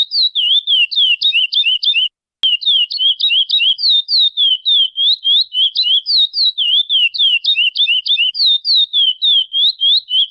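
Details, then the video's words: A chestnut-bellied seed finch (curió) sings freely in the wild: a long, rapid run of clear, high whistled notes, some rising and some falling, over a quiet background with one brief break. "Lindo curió cantando solto na natureza"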